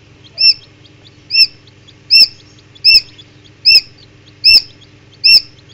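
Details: Newly hatched Common Quail chicks in an incubator, some hatched early: sharp high peeps, each with a brief upward flick, repeated seven times at roughly 0.8-second intervals over a low steady incubator hum.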